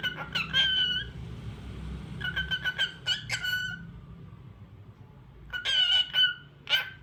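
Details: Cockatiel song made of bright whistled phrases in bursts, each a quick run of rising and falling notes, followed by a quiet gap and then another lively burst near the end.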